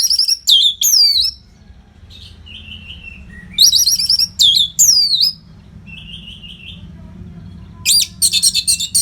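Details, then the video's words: Non-stop orange-headed thrush song used to train fighter birds, northern Bali: sharp downslurred whistles in pairs, soft low warbles between, and a closing rapid burst of high chirps. "COBA SUARA MASTERAN ANIS MERAH GACOR RAPET NO JEDA INI UNTUK MELATIH FIGTHER BURUNG AGAR SELALU FIT."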